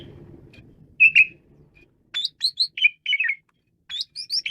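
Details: Asian pied starling in lively song: two loud slurred whistles, then a fast string of clipped, rising and falling whistles and chattery notes, repeated after a brief pause.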